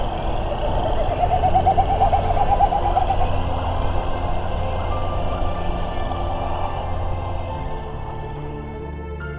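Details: Wilson's Snipe winnowing in its evening display after sunset during migration and breeding season: a hollow, quavering run of rapid mid-pitched pulses lasting about two seconds, over soft background music.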